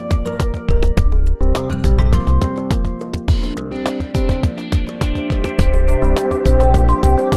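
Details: Plucked instrumental music with a steady beat fills the whole recording, with no animal sound.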